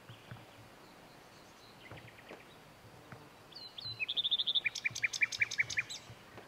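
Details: Common nightingale, nominate subspecies, in song at Lake Kerkini National Park, Greece, in April 2024: quiet scattered notes, then a rapid run of repeated sharp notes alternating high and lower, roughly twelve in two seconds, over faint background noise.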